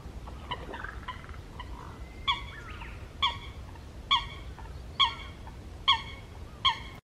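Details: A feeding long-tailed rosefinch (Uragus sibiricus) gives six short, rich, slightly nasal calls about once a second, with a few fainter calls before them against a quiet background.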